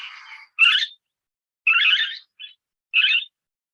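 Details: Barred (lineolated) parakeet, Bolborhynchus lineola, at Cerros de Escazú, usually seen in fast-flying flocks, gives short, burry, high, scratchy chattering calls about a third of a second long, repeated roughly once a second.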